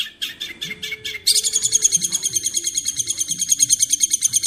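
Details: Long-tailed shrike masteran training song: a few separate scratchy notes, then a sudden switch to a rapid, high, sizzling chatter repeated over and over, with a soft low hum running beneath.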